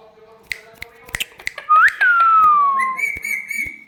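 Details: Pet parrot copying different voices. A loud whistle first rises, then slides slowly downward, and gives way to a steady, buzzy held tone. Soft clicks and taps are heard before it.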